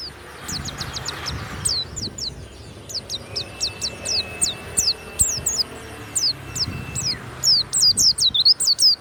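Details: Loud ngeplong song from a kept warbling white-eye (pleci, Banyuwangi type). Rapid high, sharp downslurred chirps come in bursts of about two per second. A steady thin tone sounds in the middle, and low background rumble runs throughout.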